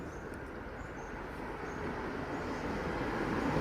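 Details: Steady broadband rumbling noise like passing traffic, slowly growing louder, with no animal voice.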